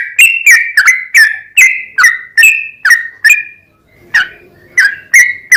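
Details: A yellow-vented bulbul sings briskly, its lure song used to provoke other bulbuls: crisp chirps repeated about every third of a second, each a click into a slightly falling whistle, with one short pause midway.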